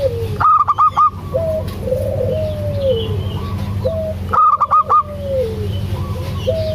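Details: Local-type zebra dove, a female calling the male, gives two bursts of four clipped, loud staccato notes about three seconds apart, with softer, lower drawn-out cooing between them and a steady low hum underneath.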